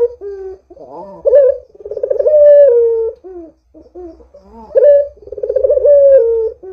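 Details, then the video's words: Barbary dove calling steadily, meant to prompt other doves to sing: two full phrases, each a sharp rising note, a trembling rolled section and a long, gently falling coo, with soft low murmurs between them. "Suara Burung PUTER Gacor ini Paling Ampuh Untuk PANCINGAN Puter Agar BUNYI"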